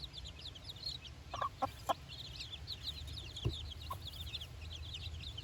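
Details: Chicks four days old on fresh grass beside their mother, their first time outside, keep up a busy stream of thin, high chirps, with a few brief lower clucks around the second mark and a low rumble beneath.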